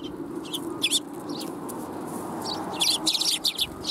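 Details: Sparrows at a Tenmangu shrine on 1 January 2021, come to be fed, uttering scattered high chirps that thicken into a quick chattering run near the end, over low hum.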